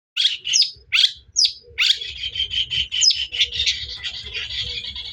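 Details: Long-tailed shrike song used as a lure to provoke a rival bird: harsh chattering bursts and squeaky notes in quick succession, then a dense continuous scratchy warble mixing mimicked chirps, with faint low rumble behind.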